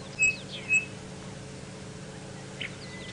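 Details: Chinspot Batis on a sunrise safari drive in Djuma game reserve, Sabi Sand, South Africa, 20 June: two clear, pure high whistles half a second apart, then a fainter third note ("three blind mice"), over a low engine hum.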